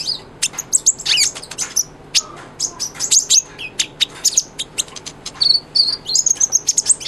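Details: Energetic sunbird song used for training a white-rumped shama: continuous fast chatter of very high chips, thin slurred whistles and short trills with barely any pauses.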